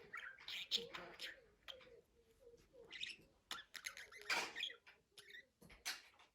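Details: Budgerigar chattering with scratchy warbles, sharp clicks and short squeaks in uneven bursts. The loudest, noisiest stretch comes around four seconds.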